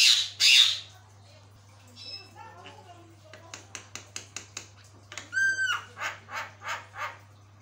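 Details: A lively, vocal Javan myna gives a varied song of harsh squawks, quick chattering notes and a slurred whistle, with a steady low electrical hum behind it; its calling can set other mynas answering.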